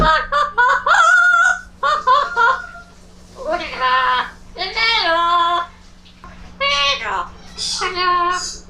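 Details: Amazon parrot talking in a back-and-forth conversation: strongly harmonic, speech-like phrases about a second long, some rising and falling in pitch, broken by short pauses, over a steady low electrical hum.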